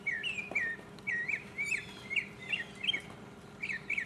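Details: Mockingbird singing solo in 2015, a steady series of bright, curling slurred whistles repeated about twice a second at mid-high pitch, with faint background hum.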